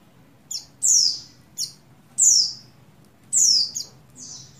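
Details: In breeding condition, a female buxtoni Oriental white-eye calls for the male. High piercing notes fall steeply in pitch, with brief chips before longer slurred whistles, repeated roughly once a second.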